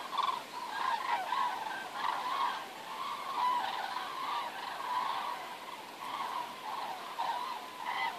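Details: Wild geese flying over Werdohl, heading south to escape the winter; a steady chorus of overlapping nasal honks from the flock, rising and falling in loose waves throughout, with no other clear sounds.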